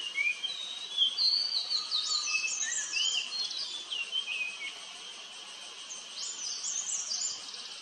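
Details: White-throated laughingthrush at its nest feeding hungry chicks gives quick high chirps and short rising notes in irregular bursts, over a steady shrill drone of cicadas calling all around.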